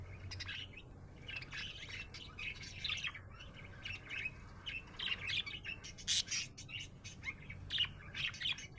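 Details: Happy budgerigar chirping: steady chattering warble of scratchy, high notes with sharp clicks, rising and falling in loudness, over a faint low hum.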